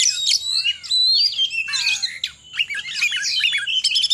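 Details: Oriental magpie-robin, short ngekek song bursts: clear slurred whistles gliding up and down, a falling whistled note, then scratchy chips and a quick rattle near the end.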